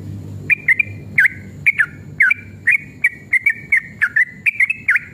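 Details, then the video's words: Sooty-headed bulbul, excited fighting-style long rapid song meant to provoke other bulbuls: quick clusters of clear, swooping whistles, some V-shaped, about two to three per second, with faint clicks and low hum behind. "trucukan gacor EMOSI ROPEL PANJANG pancingan trucukan agar bunyi JADIKAN burung trucukan gacor NYAUT"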